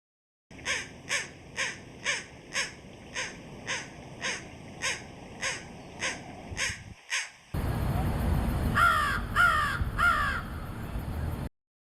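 American crow giving about a dozen loud, harsh caws in a steady series, nearly two a second, then a few more caws over a louder background rumble.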